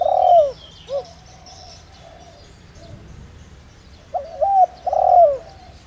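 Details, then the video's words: Spotted dove with a 'đồng rặc' voice, kept as a lure for wild birds. A long rasping coo and short note open the recording, then after a pause a new phrase of a double coo and a drawn-out husky coo. "Cu gáy Gáy Gọi giọng ĐỒNG RẶC kích bổi nhanh nổi/kích mồi tập bổi hiệu quả/chim cu gáy mồi"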